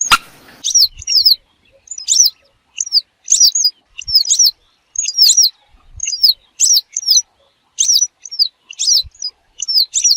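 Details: Hunting-lure recording of a western yellow wagtail giving a steady series of thin, high, downslurred chirps, often paired, about two each second, with a brief burst of noise at the very start.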